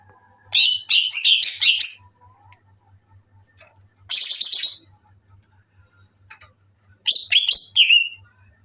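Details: Greater green leafbird singing at night in three separate high, fast, jumbled twittering phrases of about a second each, with quiet pauses between them and a faint low hum throughout.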